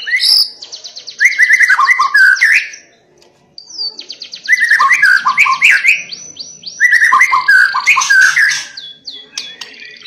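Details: White-rumped shama in full, forceful song meant to provoke other shamas into singing: bursts of rapid repeated notes and buzzy trills mixed with rich whistled phrases, three loud bouts separated by short pauses.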